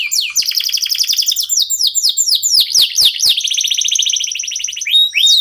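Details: Local canary (kenari lokal) in energetic song, used to encourage other birds to sing: chattering sweeps, repeated falling whistles, then a long fast buzzy trill and brief whistled notes.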